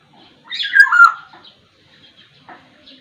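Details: Black-naped oriole from Sumbawa giving one descending slurred whistled phrase lasting under a second, followed by faint soft notes.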